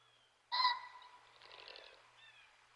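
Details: A male common pheasant foraging in snow, 24 January 2024, stretches up in display and gives a sudden loud, harsh crowing note with a rapid fluttering whirr of wingbeats, then a faint thin call.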